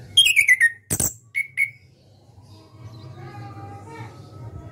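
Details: Orange-headed thrush, a caged national contest winner, gives a short ngeplong burst: a falling whistled slur, a loud click and two brief whistles, then fades into soft murmuring room noise.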